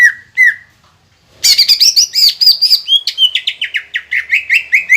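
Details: Lure recording of a green leafbird in energetic song to provoke rivals: two lone whistled notes, a pause, then a sudden burst of high, squealing phrases sliding down into quick repeated chirps.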